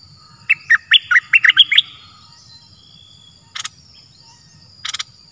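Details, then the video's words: Wild cream-vented bulbul answering a decoy bird during ground trapping, refusing to land on the cage. It gives a quick bubbly phrase of about eight warbled notes, rising and falling, followed by two short sharp clicks. "Burung merbah lekir gacorbahanan"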